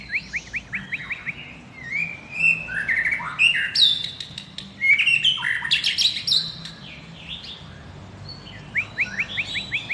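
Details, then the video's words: Long-tailed Medan white-rumped shama singing vigorously. A run of quick upslurred chirps leads into a dense, varied medley of whistles, harsh notes and mimicry-like phrases. Another burst of rapid chirps follows. "murai batu Medan gacor ekor panjang"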